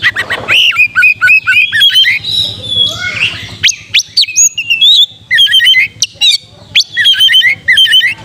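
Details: Oriental magpie-robin singing to provoke a fighting mood and tail-spreading: rapid varied phrases of bright whistles, sharp rising and falling notes and buzzy trills, dense and energetic with brief pauses between bursts.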